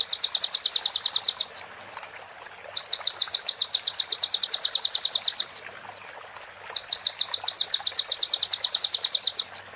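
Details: A sunbird tutor recording of a song filled with female prenjak and ciblek phrases: long, fast, high buzzy trills lasting one to three seconds, separated by sharp chips and repeated about every four seconds.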